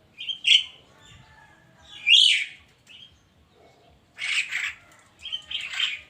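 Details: Javan myna in the morning mixing short whistled notes with harsh buzzy squawks, delivered in uneven clusters over several seconds.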